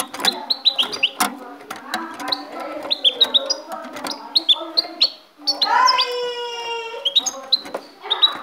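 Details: Kept goldfinch from Ecuador, recorded in 2016, sings a fast run of short high chirps and trills, some sliding quickly up or down, with a low steady hum and talking in the background.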